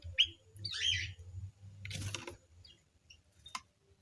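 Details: White-crowned forktail in an aviary giving a few sharp, high chirps early on, then a brief rustling burst and a faint click, over a low steady hum.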